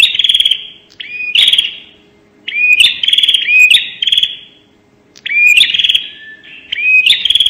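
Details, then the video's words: A prinia gives loud, rapid bursts of high, buzzy trills broken by sharp rising notes, repeating in bouts about every two seconds. "suara burung prenjak nembak"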